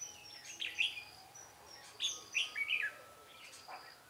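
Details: Red-whiskered bulbul recorded during a trapping session, 13 March 2017, Vietnam: scattered quick whistled notes in two or three short clusters, with a faint high hum in the background.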